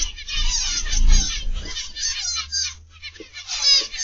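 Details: Zebra finches in an aviary: a dense chorus of high, nasal chattering calls overlapping continuously, with a brief lull near the end and a low rumbling hum underneath.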